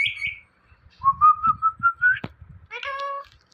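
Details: Pet Indian ringneck parrot gives a high squeak, then a steady series of six short, level whistled notes, a sharp click, and a drawn-out harmonic meow-like phrase.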